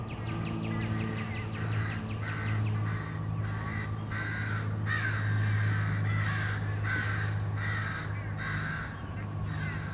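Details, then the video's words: Crows in numbers attacking a male bald eagle at its nest, late March 2016, give a long run of loud, grating caws, several overlapping, pulsing roughly four per second against a droning hum. "Crows attack"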